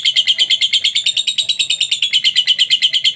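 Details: Lovebird in long ngekek-style chatter, used as a training recording to get other lovebirds singing: a fast, even string of shrill, rasping notes, about nine per second, steady throughout with no pause.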